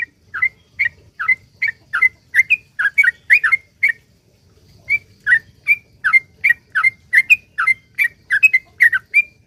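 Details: Sooty-headed bulbul song played as a prompt for other bulbuls: steady chains of short, bright whistled notes, broken by one brief pause midway.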